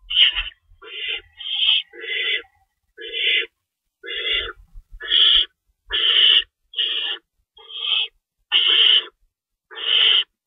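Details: Feeding time for nesting owls before dawn on March 25, 2012, with two rabbits stored: about thirteen rasping, breathy screeches repeated roughly every eight-tenths of a second, with faint low thumps underneath.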